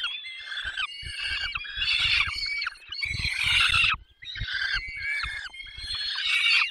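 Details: Peregrine falcon during feeding at 10:22 in the Barycz Valley, Poland, 20 May 2021: harsh, drawn-out wailing cries with rich overtones, repeated in long bursts broken by short pauses, over soft low rustling and thumps.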